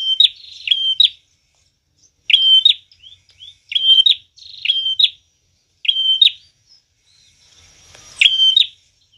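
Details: Vigorously singing prinia, recorded as a lure for trapping birds: repeated phrases of a flat high whistle and crisp chipping notes, roughly every one and a half to two seconds, some phrases doubled.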